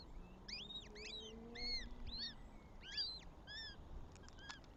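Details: Northern goshawk at a nest with three eggs in Tartu, Estonia, recorded 7 May 2025: thin, high, arched squealing notes in quick clusters, repeated through the clip, over a faint low hum of distant traffic.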